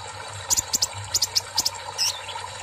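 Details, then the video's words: Olive-backed sunbird, after water therapy, giving very high, thin, sharp notes in quick pairs, about eight in two seconds, over a steady trickle of water. "KOLIBRI NINJA GACOR"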